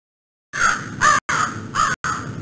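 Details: Crow calling: harsh, hoarse caws given in quick succession, about four calls in two seconds, each a rough nasal burst with brief gaps between, no other sounds.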